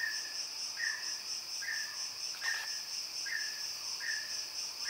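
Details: Mountain peacock-pheasant giving short, slightly falling whistled notes, each about a third of a second long, repeated roughly every 0.8 seconds, over a loud, steady, high-pitched insect chorus.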